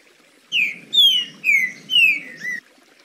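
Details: A Green-winged Saltator sings in the smooth ("liso") style, a short phrase of five loud, clear whistled notes, mostly slurring downward, delivered at a steady pace over faint low background noise.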